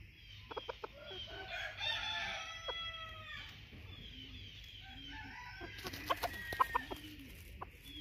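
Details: A bantam junglefowl rooster performing a courting dance gives a run of harsh, rising and falling clucking calls, then soft low clucks. Sharp taps and clicks follow near the end.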